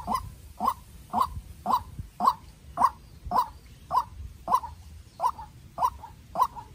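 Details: Fierce exchange between a young captive-bred decoy White-breasted waterhen and a wild one: a dozen regular croaks, close to two per second, clear and mid-pitched with short echoing tails.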